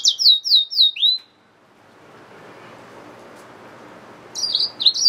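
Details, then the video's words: Yellow-fronted canary mule, a hybrid finch, singing a short burst of high, rapid, downslurred whistled notes repeated about four times a second, then a quiet pause before another bright twittering phrase starts near the end. "Yellowfronted canary mule | Hybrid Finch"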